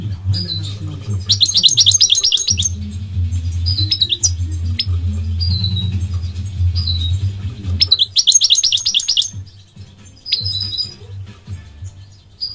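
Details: Goldfinch song made of dense silvery twittering bursts and scattered thin whistled notes, with quieter gaps between phrases and a low hum in the first part.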